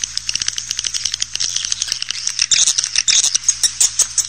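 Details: Swiftlet calls used to lure swiftlets into a swiftlet house: a rapid, dense stream of high, dry chirps and clicking rattles, growing louder and more insistent toward the end.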